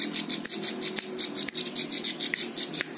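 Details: Plain prinia (ciblek sawah) tutor song for training other birds: steady high, buzzy pulsed notes run through the whole stretch, broken by several loud sharp clicks and knocks.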